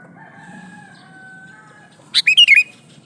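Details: Sooty-headed bulbul, a male calling to a female: one lively phrase of four quick liquid whistled notes, preceded by faint steady background tones.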